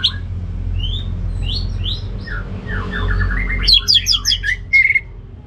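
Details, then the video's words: Orange-headed thrush in loud ngeplong song: soft descending whistles at first, then a rapid cascade of sharp, jumbled notes and a final ringing tone, with other faint birdsong and low background noise. "Anis Merah Ngeplong Gacor"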